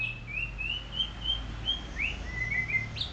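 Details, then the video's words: Golden shama, a kept white-rumped shama, singing while sunned in the morning: a string of soft, clear whistled notes, mostly level or gently rising, some slurred upward, over a steady low hum. "Murai Batu Golden Shama | Kicau merdu saat dijemur"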